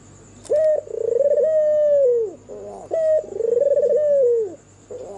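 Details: White, red-eyed albino turtle dove cooing at night, said to draw other doves into calling: two low, mellow coos, each a short note then a long rolling, throbbing phrase, about two seconds apart.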